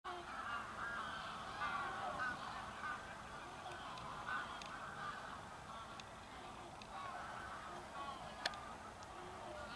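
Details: A flock of Bewick's swans at Loch Spynie, Moray, Scotland keeps up a dense, overlapping babble of soft, mid-pitched honks and yelps, with a few sharper calls over a steady murmur.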